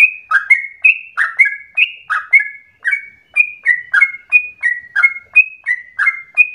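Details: Yellow-vented bulbul song used as a lure to make other bulbuls sing nonstop with long phrases: rapid bubbly, slurred notes alternating high and lower, roughly three per second, with no other sounds.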